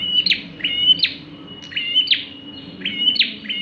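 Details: Bar-winged prinia singing actively, a song used as a lure for other birds: about five quick phrases in under four seconds, each a flat high whistled note ending in a sharp, buzzy downward sweep.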